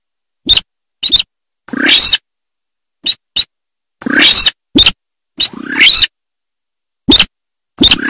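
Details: A sintar utters brief dry clicks interspersed with longer grating, rising rasps. The pattern is irregular, with short silent gaps and no background noise.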